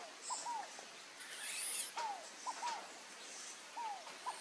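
Scaled dove giving short, soft falling coos in quick groups of two or three, repeated every second or two, over a thin high insect hiss.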